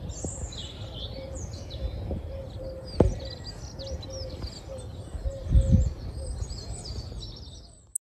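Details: On an early February morning in Mill Road Cemetery, Cambridge, a European robin sings from a bush: thin, high, wistful warbling phrases over a low background rumble, with a soft repeated musical tone underneath.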